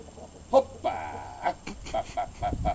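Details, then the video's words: New Hampshire Red chickens giving short, clipped clucks, plus one longer drawn-out note early on, then evenly spaced single clucks about every quarter second, with low rumbling noise toward the end. "Red New-Hampshire Chickens"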